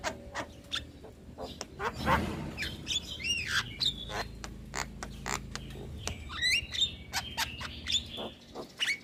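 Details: Varied starling song used to train young birds: rapid clicks mixed with twisting upward and downward whistles and chattering notes.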